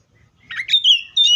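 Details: Oriental magpie-robin song: a brief, bright burst of chirpy notes, then a clear, sustained whistled note that slides gently downward, ending with a sudden loud high phrase; no other sounds stand out.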